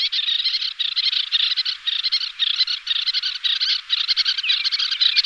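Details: Two pairs of little terns calling during display flight, giving a continuous stream of rapid, harsh, grating chattering calls with no pause throughout.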